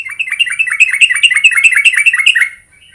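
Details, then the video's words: A Sooty-headed bulbul gives a fast, chattering run of bright, slightly harsh notes, several per second, for about two and a half seconds; a call used to lure bulbuls into answering. "Suara panggilan Burung Trucuk"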